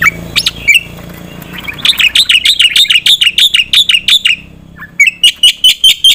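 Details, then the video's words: Black-winged myna singing in "gacor nembak" style with filler, a recording meant for training contest birds: a few scattered harsh notes, then a steady train of loud ringing chirps, a short gap and another rapid series. "jalak putih gacor full nembak isian untuk masteran burung lomba"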